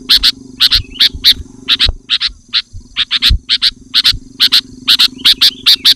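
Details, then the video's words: Loud sooty-headed bulbul song for luring wild birds: clear, punchy notes in pairs and short clusters repeated steadily over six seconds, a brief soft whistled slur between them, with low rumbling background sounds. "Suara Burung Kutilang Gacor Rapat dan Lantang Menekan Lawan Kutilang lain Langsung ikut gacor"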